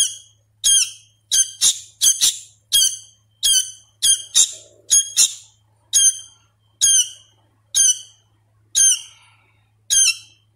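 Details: Sooty-headed bulbul chick being hand-fed, still learning its sounds, producing a long, even series of high, sharp squawks, some in quick doublets, slowing slightly toward the end.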